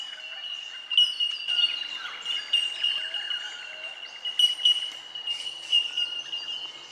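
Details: Bell miners, also called bellbirds, at Benarkin in south-east Queensland: a constant ringing chorus of high, pure, bell-like tink notes from several birds, overlapping at one steady pitch, with fainter scattered chirps beneath.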